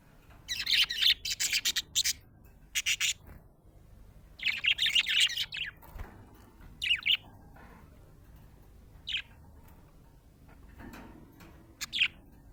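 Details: Happy pet budgerigar chirping: bursts of rapid, bright warbling chirps and clicks, densest in the first few seconds and again around four to six seconds, then sparser single chirps separated by quiet pauses.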